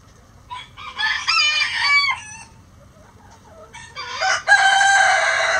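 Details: Roosters crowing before dawn while the flock leaves the coop: one full crow of nearly two seconds, a short pause, then a second rooster's loud crow that begins and keeps ringing to the end.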